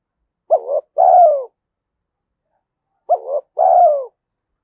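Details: Spotted dove giving its thổ-style Thúc Đấu voice, a provoking call suited to the forest when setting decoy traps: two low cooing phrases, each a short wavering note then a longer falling coo, about 2.5 seconds apart, in quiet surroundings.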